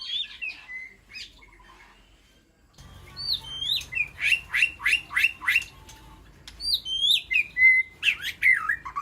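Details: White-rumped shama in an aviary calling to its flock: clear whistled notes, then a fast run of rising upswept notes repeated about three times a second, followed by more whistles and sliding phrases.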